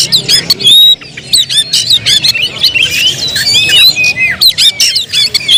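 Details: Oriental magpie-robin singing loudly: scratchy chattering notes and sharp clicks alternate with long sliding whistles, delivered in quick, irregular bursts.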